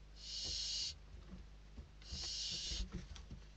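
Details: Nestling barn owls in Spain during a food delivery give two fairly quiet, breathy screeching hisses, each under a second, with scuffling and low bumps through the pause.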